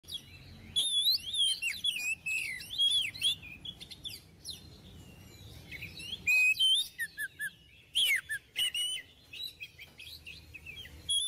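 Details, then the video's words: Oriental magpie-robin singing vigorously, offered as a model song for untrained magpie-robins; loud clear whistles, sliding notes and rapid chirpy phrases, bursting out in a near-continuous stream with brief pauses. "Kacer Gacor~Cocok Untuk Di Jadikan Masteran Untuk Burung Kacer Bahan"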